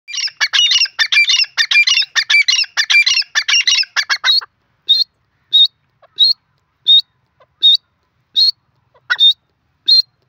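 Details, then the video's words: Grey francolin, the desi teetar, calling: a fast rattling run of harsh, high notes, then single sharp piercing notes spaced about every seven-tenths of a second, on a silent background. "desi teetar ki awaz"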